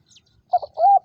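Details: A spotted dove kept as a trapping decoy in Vietnam gives two short soft notes followed by a rising-then-level coo, a brief fragment of its phrase.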